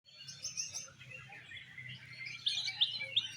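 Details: Oriental magpie-robin (kacer) performing at a songbird contest in an 'exotic' style: a rich, continuous high warbling chatter, ending with three loud, sharp upward-swept whistles about a third of a second apart, over a low steady hum.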